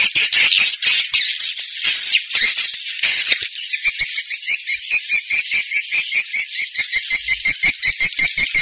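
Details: Swiftlet lure sound in the Vietnamese 'janda' style: dense, rapid high chirps and rattling twitters, steady and unbroken throughout, turning into a regular chattering pattern after the first few seconds.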